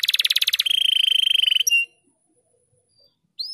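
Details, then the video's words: Canary masteran, a training song played to young canaries that are slow to sing: a fast buzzy trill of rapid repeated notes switches to a steadier high trill, ends in a short whistle, then silence before a brief rising note. "Masteran Kenari"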